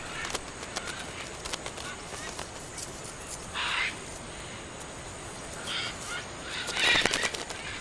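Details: Blue-and-yellow and scarlet macaws gathering to eat clay on an Amazon riverbank give a few harsh, raspy squawks, short and scattered a second or two apart, over a constant hissing forest background.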